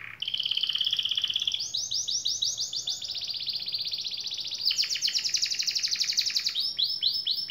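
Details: Canary in full song, used to prompt quiet canaries to answer and roll: long rapid buzzy trills, each held a second or two, shifting pitch between phrases, with a soft low hum behind.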